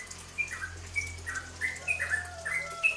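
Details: Cucak ropel bulbul song used to provoke other birds to sing: scattered short whistles and slurred notes over a low steady hum.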